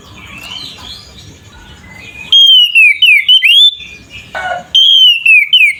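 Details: Oriental magpie-robin ngeplong song, a fighting song for provoking other magpie-robins: faint chirps at first, then two strong bursts of clear whistles sweeping up and falling, notes fired in quick succession.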